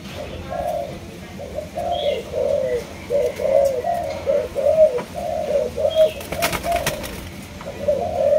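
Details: Spotted dove of a Malaysian line, cooing in a steady run of low, rounded hoots, about one per second, with brief faint higher chirps and a few clattering knocks.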